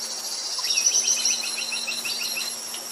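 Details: Buff-rumped woodpecker calling: a quick series of about a dozen short, high, slightly falling notes packed into two seconds, set against a constant shrill insect drone.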